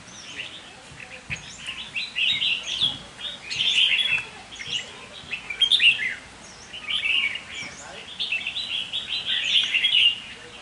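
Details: Caged red-whiskered bulbul, a decoy bird, sings grouped bursts of cheerful chattering and whistled notes, separated by short pauses, clear against a quiet background.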